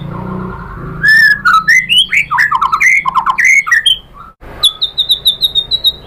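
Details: A white-rumped shama, played as a lure so other shamas answer, pours out loud varied whistled notes that jump in pitch, then switches to a fast, even series of high sharp chips.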